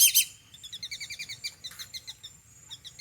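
A whistling duck gives a short, sharp sneeze, then a quick run of thin, high chirping whistle notes, about ten a second.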